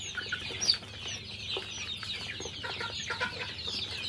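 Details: Chickens having lunch give a busy mix of overlapping clucks and squeaky notes, with a few louder, distinct clucks standing out from the flock's constant murmur.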